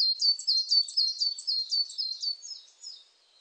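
A coal tit gives a quick run of thin, very high, slightly falling notes, about five or six a second, fading out after three seconds.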